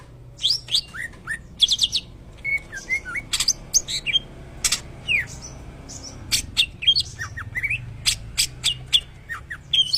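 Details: Greater green leafbird singing in a shama-like style, mixing sharp high chips, short whistled slurs and loud clicking bursts in irregular spaced phrases over a quiet low hum.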